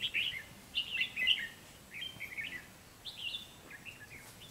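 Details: Red-whiskered bulbul lure bird singing during trap-fighting to provoke a rival: quick chirpy, slurred phrases delivered in rapid clusters, then a pause before more lively warbles.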